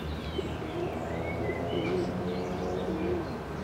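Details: A feral pigeon on the castle plateau in Ljubljana, Slovenia, on 10 June 2023, gives low, soft rolling coos in short repeated phrases over a steady background rumble, with faint chirps of other birds.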